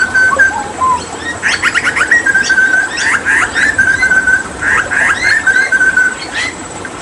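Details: Hooded butcherbird of Papua whistling steady, drawn-out notes, interrupted by clusters of sharp, chirpy clicks and short rising calls. The pattern repeats several times over faint hiss.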